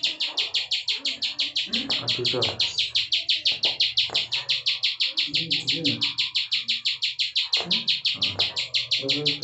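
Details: High, even chain of clipped notes, about three each second, from a bar-winged prinia singing the loud non-stop ciwah prenjak klik style, over soft background noises.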